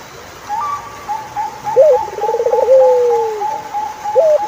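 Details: Turtle dove giving a short high note, a rapid pulsing run and a long descending coo, then starting again. A second bird's thin, wavering whistle continues steadily throughout.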